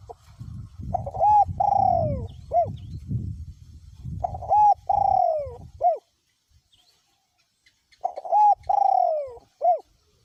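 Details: Spotted dove in a cage, used as a decoy, voice described as small to middle, cooing through strong wind: three evenly spaced phrases, each clipped notes around a long falling hoot, with wind rumble early then near silence.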